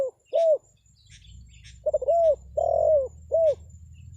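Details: Spotted dove lure call meant to draw wild forest birds into answering: soft, low, mellow coos, two spaced notes, a pause, then a quicker run of four coos, the middle one longer and fuller.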